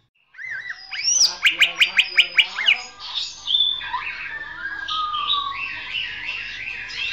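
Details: Champion greater green leafbird singing, meant for training and reviving silent birds: a rising whistle, a rapid burst of sharp chirps, then a long, varied warbling with looping and trilled phrases.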